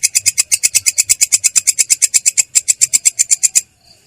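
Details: Long-tailed shrike singing its rolling song, voice clear and harsh: quick, evenly paced harsh chirps pour out in an unbroken run, then stop abruptly into near silence at the end.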